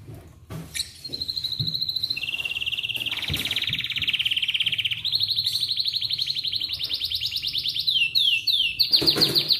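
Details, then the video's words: Atlantic canary singing in the morning to prompt other canaries to sing: a long, loud sequence of rapid buzzy trills shifting between steady pitches, ending in quick descending whistled sweeps, with a few clicks and knocks early on. "MASTERAN AMPUH Buat Kenari Lain Cepat Bunyi II Pancingan Kenari di Pagi Hari"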